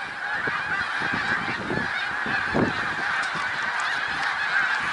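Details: Snow geese massed at Middle Creek Wildlife Refuge, Pennsylvania, on 1 March 2021: a dense, unbroken chorus of high, nasal honks from a huge flock, overlapping with no pause, over soft low thumps.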